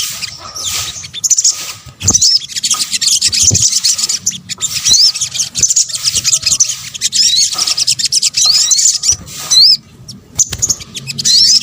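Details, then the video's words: Sunbird, locally called sogok ontong in Indonesia, in a combined recording of calls used to lure birds: dense high twittering with quick upward-curling whistled notes repeated in bursts, over a steady faint low hum. "PANCINGAN SOGON BUNYI AMPUH | kombinasi suara sogok ontong"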